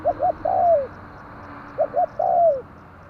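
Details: Spotted dove lure call for bird trapping: two phrases, each two quick short coos then a long smooth downslurred coo, over steady low background noise.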